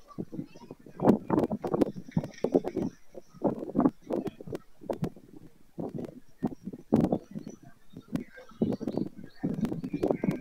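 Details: White stork at Madrigal de las Altas Torres, Spain, 25 July 2024, end of the breeding season: rough, throaty bursts in irregular runs, with sharp dry clicks between them.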